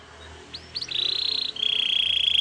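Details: Belgian canary song for training: a few soft rising notes lead into a sustained buzzy trill that drops slightly in pitch partway through, over faint background hiss.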